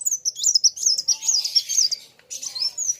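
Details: Singing contest between kolibri wulung sunbirds; a fast, high, jittery trill of tiny zigzag notes, a brief pause, then a rising-and-falling thin whistle.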